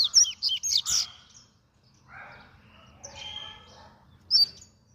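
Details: Double-collared seedeater in fast song, opening with a quick volley of bright, high whistles, then softer buzzy warbling and a final sharp whistled note.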